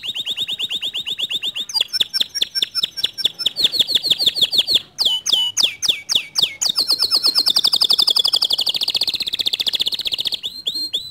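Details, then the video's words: Canary singing to coax a lazy canary into song: steady high rapid trills, sweeping chip series, and long rolling trill passages in an unbroken, varied flow. "Memancing Emosi Kenari Malas Bunyi Agar Ikut Gacor Dengan Kicauan Kenari ini"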